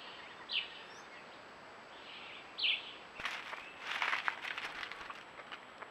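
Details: Groove-billed ani recorded by a camera trap in Costa Rica, giving two short, bright notes about two seconds apart, followed by a stretch of rustling, crackling noise.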